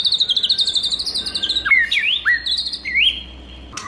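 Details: White-rumped shama in wild-style training song, opening with a fast high rattle of repeated notes, then rich whistles that drop and curl upward in several loud, varied phrases before a brief quiet close.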